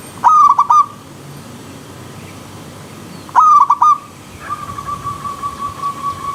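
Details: Zebra dove from the wild with river stream sound, singing two quick ringing coo phrases three seconds apart, followed by a long steady series of soft even pulses.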